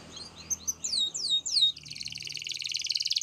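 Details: Canary singing, fainter, with sweeping down-slurred whistles followed by a long fast rolling trill over a low hum.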